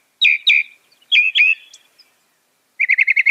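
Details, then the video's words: Northern mockingbird (Mimus polyglottos) delivering pairs of downslurred whistled notes, followed by a quick series of six short chirps. "Masteran Burung Kicau Mockingbird Gacor - Mockingbird Bird Sound"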